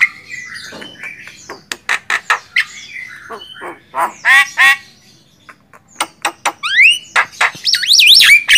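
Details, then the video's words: Javan myna master song for songbird training: a jumbled mix of harsh squawks, clicks and nasal notes, ending in rising slurred whistles and a wavering high squeal. "SUARA DAHSYAT BURUNG JALAK KEBO"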